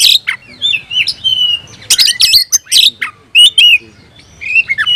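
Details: Oriental magpie-robin (kacer) singing vigorously while seeking a rival: loud, varied, high-pitched phrases of clear sliding whistles mixed with sharp harsh bursts and quick chips, separated by short pauses, with no other notable sounds.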